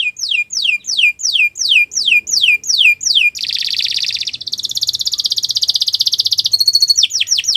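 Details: Canary song meant as a training model for other birds: a series of loud descending whistled notes repeated about three times a second, then long rapid buzzy trills and fast rattling rolls.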